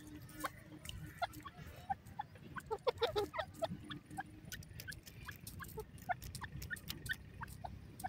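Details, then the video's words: Francolin (Irani teetar) gives soft, irregular clucks and short chirps, a few per second with a brief louder burst midway, over a low steady rumble. "irani teetar ki boli"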